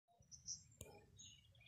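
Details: A house sparrow (Passer domesticus) gives a brief, high chirp, then a sharp click and a few fainter twittering notes over a low background rumble.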